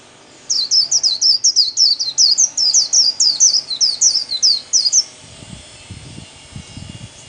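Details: White-eye kept as a cage bird, singing solo in the 'líu' style: about five seconds of rapid, repeated high zigzag twitters, roughly three per second. Low rumbling noise follows once the song stops.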